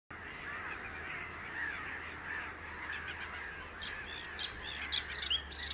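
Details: Bluethroat singing in Grand Voyeux nature reserve, France, 2021: a run of thin, high, repeated notes about three per second, breaking into varied chirping phrases, over a steady hum and a busy background chorus.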